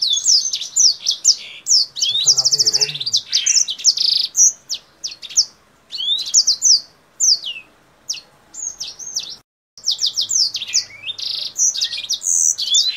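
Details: Lively Kingthroat singing hard, hopping up and down with wings opened, sounding like a Blackthroat: bursts of high chattering notes, quick rattling trills and thin slurred whistles, broken by short pauses, with a faint low rumble early on.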